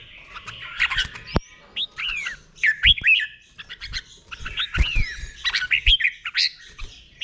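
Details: Caged red-whiskered bulbul song in the Thai doubled 'beun' style, slow and clear, played for birds to copy: slurred, rising and falling whistled notes in short phrases, separated by loud clicks and pauses.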